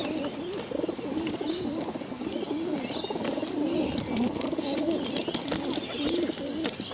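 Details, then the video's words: Hungry pigeons raised on a bottle make a steady run of low wobbling, cooing murmurs over soft crackling, and a few brief faint higher squeaks come through. "hungry bottle fed pigeons"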